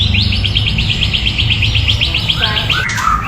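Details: White-rumped shama singing a clear, melodious song: a fast run of about twenty identical short chirps, evenly spaced, then lower warbled notes at the end, over a steady low hum.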